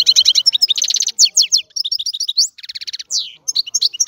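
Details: A goldfinch sings energetically: crowded, tinkling trills, sharp chips and rattling buzzy passages follow one another with barely a pause, all high-pitched and bright.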